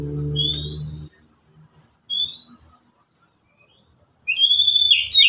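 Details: Oriental magpie-robin, a caged pet among three birds exchanging calls. A few short, sharp rising whistles are separated by silent gaps, then a loud burst of bright whistled notes closes it. A low hum sounds at the start.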